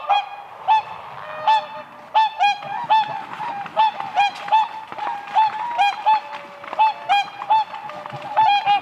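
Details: Spring lake with whooper swans dancing on the ice, a flock trumpeting continuously: loud nasal bugles repeated several times a second, overlapping from many birds.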